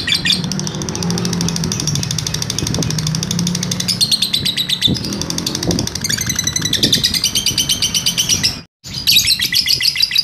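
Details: Lovebird 'ngekek' trill recorded as a master for training birds: busy high chirping with pitch shifts, louder and denser in the second half, over noticeable low background noise and a short break near the end.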